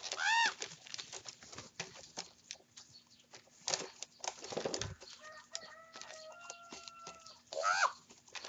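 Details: Common ravens, young birds fighting over breakfast, give harsh squawks at the start and end, with thin held tonal notes in between and much clattering and rustling throughout.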